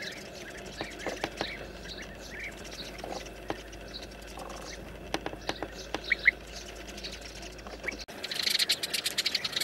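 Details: Sparrows from a hole-nesting colony, frightened by an approaching snake and flocking to a branch, give a busy scatter of short, sharp chirps and chips, several at once, rising to a louder burst near the end; sparrow.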